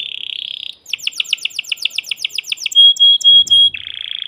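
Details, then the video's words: Male canary in a cage, agitated, singing to prepare a female for mating: a buzzy trill opens, followed by fast repeated falling chirps and several pure whistled notes, ending in another trill. "تغريد ذكر كناري هائج يريد تكسير القفص يحفز الأنثي لتزاوج"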